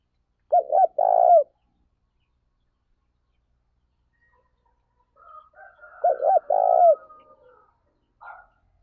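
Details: Two spaced cooing phrases from a spotted dove kept as a lure for training other doves, short clipped notes leading into a long rolled coo, with a soft thin tone near the second phrase.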